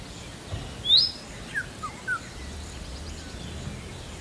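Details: Indian robin call: one sharp rising whistle, then two quieter short downward notes, with steady low background noise.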